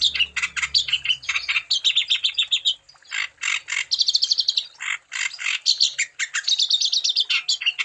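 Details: Chattering wambi song used to encourage other wambi birds to sing: rapid chirps, buzzy notes and thin repeated whistles in long busy phrases separated by brief pauses, with a low hum at the start.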